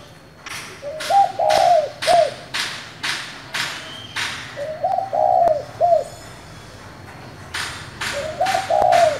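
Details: Spotted dove in the 'thổ' voice style, calling to provoke other doves. Three low, hollow coos, each with a stuttered opening and a falling end, spaced about four seconds apart, over steady rhythmic tapping or clapping sounds.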